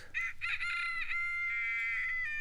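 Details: Rooster crowing, recalled from Coleridge's Christabel: a harsh, broken opening burst gives way to a long sustained ringing note held to the end.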